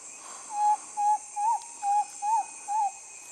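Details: Spotted antpitta (Hylopezus macularius) giving six hollow, mellow whistles, some with a slight rise and fall, about two per second, over a steady high insect hiss.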